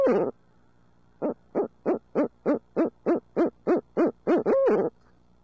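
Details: Barred owls living in the city of Midtown Tulsa, hooting: one opening note, a pause, then a quick series of about twelve short evenly spaced hoots that builds to a longer, higher final hoot.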